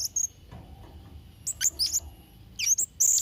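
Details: Blue-crowned hanging parrot calling briskly, a recording made for teaching young birds: rapid shrill, high-pitched tweets and sharp squeaks in quick pairs and triplets, ending on a stronger piercing note.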